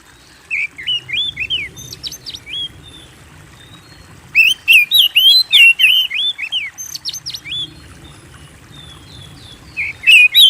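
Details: Oriental magpie-robin (kacer) singing strongly, used to get kept birds singing: short whistled phrases, then a dense burst of rapid sweeping whistles with high sharp notes, ending with a couple of loud calls.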